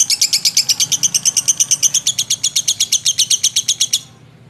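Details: Lovebird, described as gacor, singing a long ngekek: a rapid, even train of shrill, high chattering notes at about seven per second, held for four seconds and then stopping abruptly, with nothing else heard.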